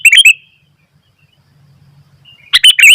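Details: Sooty-headed bulbul in energetic song, wild birds of the same kind joining in: two quick bursts of bright, bubbly chirping notes, one opening and one closing, separated by a quiet gap with low hum.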